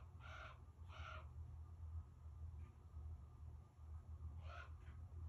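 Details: Common raven in Alaska yelling at the person recording: two quick harsh, croaking calls at the start, a quiet gap, then another rough call and a short softer note, with a steady low rumble throughout.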